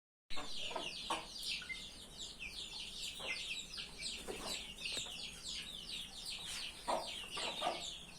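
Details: Chickens on a farm: a dense chorus of high, thin, downslurred peeping notes, with a few soft low clucks scattered through.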